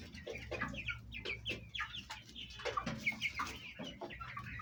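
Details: Hens and chicks of the Egyptian Fayumi chicken kept at home, feeding and squabbling; rapid high descending peeps from several chicks mixed with low clucks and background hum.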